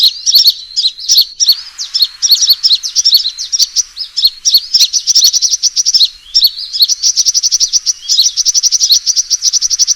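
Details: Sunbird fighting call used as a lure: loud, high twittering chirps in irregular bursts, giving way to an even, rapid trill-like series of ticks in the final seconds.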